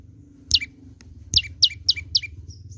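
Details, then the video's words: A young olive-backed tailorbird gives one sharp descending chip, then a run of four evenly spaced, high, downward-slurred notes, followed by a faint thin whistle, over a low steady hum. "burung prenjak lumut muda gacor"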